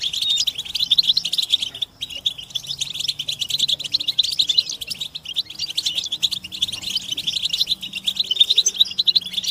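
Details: Massed European goldfinch calls of mating and readiness, played to stimulate caged males: a steady, thick blanket of thin, tinkling twitters and chirps with a momentary break, over faint low tonal hums.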